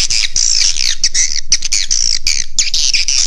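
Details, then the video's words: Swiftlet roosting lure call, played to draw swiftlets in to roost: dense, continuous twittering of high, sharp chirps and squeaky notes, overlapping and fast, with short breaks. "Suara Inap Walet Raja Di Laut Call Swallow Birds tiếngchimén เสียงนกแอ่น"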